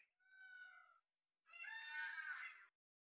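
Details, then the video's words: Indian peafowl, filmed with a Canon EOS 3000D camera, giving two loud wailing calls: a clear, harmonic first note of under a second, then a short pause and a longer, harsher, louder second note, with quiet around them. "Original Voice of Peacock"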